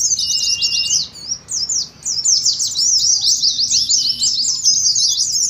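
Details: Several Oriental white-eyes in the ngeriwik style, arranged as a contest simulation to prompt other white-eyes to sing: dense, high, rapid twittering chatter that breaks briefly near one second, with a faint lower whistle under the opening.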